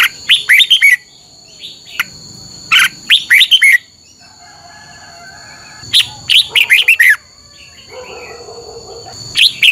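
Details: Red-whiskered bulbul, caged, song played to train other caged birds: bursts of five or six loud, rich whistled notes sliding downward, phrases about three seconds apart, with a steady high electronic tone throughout and faint softer bird notes between.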